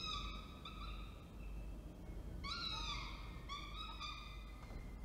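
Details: At Orange, New South Wales, 19 October 2024, a falcon calls while the male brings food and the female feeds. Nasal, harmonic whining notes repeat in short series, one rising then bending down, over constant low hum.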